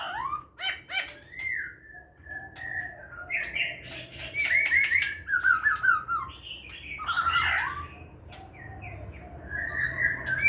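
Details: Laughingthrush of the 'hàm rồng' type singing in wild-type style ('giọng rừng'), recorded 29 September 2023: a varied stream of loud whistled phrases, slurred notes, sharp clicks and chatter, with low background hum.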